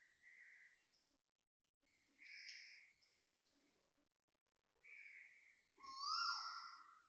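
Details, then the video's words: Loud early-morning Asian koel in Toa Payoh, Singapore, 6.43am on 20 December 2025: brief whistled notes repeated every couple of seconds, ending in a stronger, rising-then-falling whistle, in a quiet setting. "Loud koel noises"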